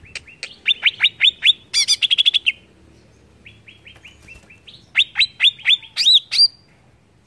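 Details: Loud, varied greater green leafbird song used to provoke others: downslurred chirps, a quick trill, a soft falling series of notes, then another run of strong chirps.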